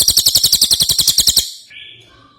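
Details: Rapid run of sharp, very high pulsed notes from an ashy tailorbird, ending abruptly, followed by a faint thin whistle.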